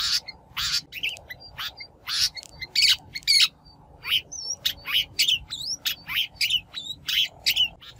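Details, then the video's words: Shrike lure recording meant for trapping or training wild-caught birds: loud harsh rasping squawks alternating with thin whistled slurs and chirps, irregularly repeated. "Tiếng chim Bách Thanh mồi"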